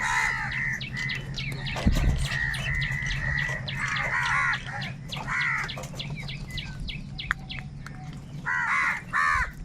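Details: A huge flock of crows calling and crying while fighting for food: harsh, stacked kaa-kaa caws in overlapping bursts, with a steady low hum underneath throughout.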